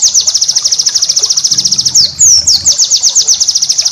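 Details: White-eye master song for cage birds: steady rapid trill of high repeated chirps, interrupted by a couple of longer sweeping whistles.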